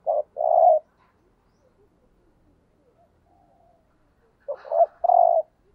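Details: Decoy spotted dove urging coo: a quick short note then a fuller rolling coo, given twice with a long quiet gap between, low and soft in tone.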